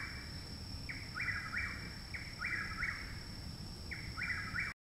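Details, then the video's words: Loud nearby Chuck-will's-widow in Parkersburg, West Virginia, late May 2019, a month after its arrival; three rhythmic whistled phrases, each a quick note followed by two sliding notes, over a constant low hum. "Chuck Wills Widow Singing Loudly Very Nearby"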